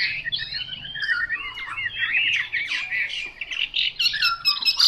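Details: Chinese hwamei, untrained, gives a burbling, somewhat harsh warble of looping slurred notes, with a few higher sharp accents toward the end and a faint low hum behind.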